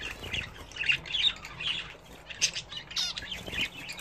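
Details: Budgerigars bred and kept at home, bathing, utter short harsh squawks and pinched chirps every half second or so, mixed with a quieter background warble.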